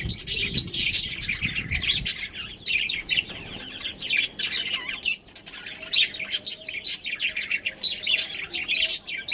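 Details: Pet budgerigars kept as a breeding pair give continuous high, scratchy chirps and quick twitters, with a brief low rumble at the start.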